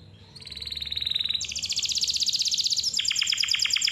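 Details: Vigorous canary song meant to coax young or reluctant canaries into singing: a fast, buzzy rolling trill of about four pulses per second, jumping to a higher and then a lower pitch, with a faint low hum behind.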